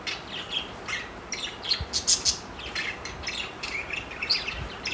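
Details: Four pet parakeets flirting chatter in quick, high, scratchy chirps and squeaks, overlapping irregularly with a few sharper squawks.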